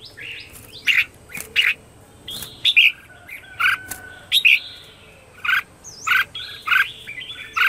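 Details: Red-whiskered bulbul morning song luring wild birds: repeated loud chirped phrases roughly every second, with faint thin whistles and soft background hum.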